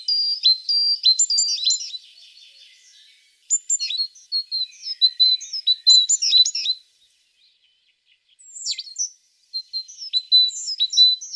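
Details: Tit song in several bursts of lively, high twittering and slurred chirps, separated by short pauses, with one sharp click partway through.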